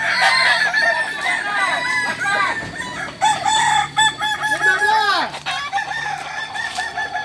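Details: Kokok Balenggek (kukuak balenggek) chickens training together at Ampang Kualo, Kota Solok, West Sumatra: several roosters crow at once in long, stepped, multi-syllable crows with many rapid rising-and-falling notes, overlapping throughout, with faint clucks and voices.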